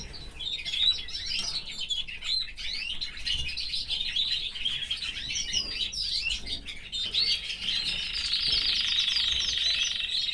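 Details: Caged canary among its family, pouring out continuous high twittering song of rapid chirps and trills that grows denser and louder toward the end, over a low hum.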